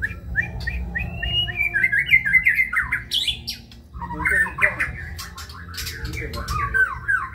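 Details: A white-rumped shama sings kebyok style, with rapid rising whistled runs, a harsh chattering burst, then fast varied chirps and slurred notes repeated in quick succession.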